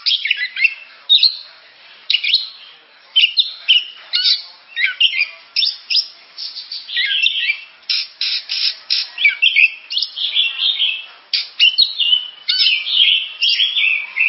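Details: Kacer, the oriental magpie-robin, delivering a long, lively song of rapid varied phrases, mixing clear whistles, buzzy chatter and squeaky mimicry-like notes with short gaps between bursts.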